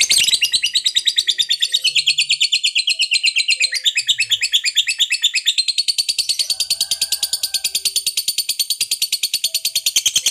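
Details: Fighter lovebird giving an extended ngekek meant to provoke other lovebirds: a fast, piercing chatter of evenly pulsed notes, jumping higher after a few seconds and continuing strongly for over ten seconds.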